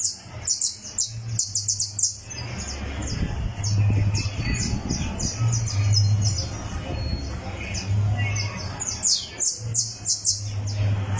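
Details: On a tournament perch, a criollo canary warms up its song with rapid bursts of high, sharp chirps, then pauses and resumes, over a constant low rumbling hum.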